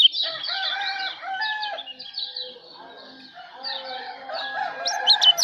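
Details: Kecial lombok, a Lombok white-eye, singing as a training recording for songbirds: fast, dense high twittering runs of short sliding notes with a lower, steadier warbled layer underneath, dipping quieter midway before rising again.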